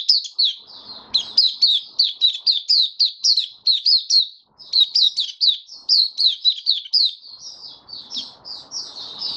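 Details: Caged white-eye singing on 23 March 2022 during a nutrition change for warm, humid weather. Quick chains of sharp, high chirps run almost without a break, with a brief gap mid-way and soft background clatter.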